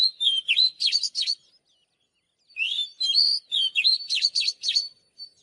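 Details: Oriental magpie-robin song used for voice training: two bursts of rich whistled phrases, sliding and warbling notes mixed with sharp high chips, separated by a second of silence.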